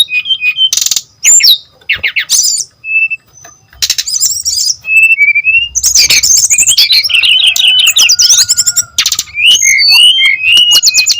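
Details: Long, varied song of a brown-chested jungle flycatcher, used to lure and tutor other birds of its kind; sharp chirps, short clear whistles and stretches of rapid chattering twitter, ending in bouncing looped notes.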